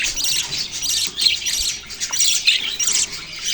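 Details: Budgies chattering in a group, harsh squawky chirps pulsing in short loud bursts roughly every half second over a constant high twitter.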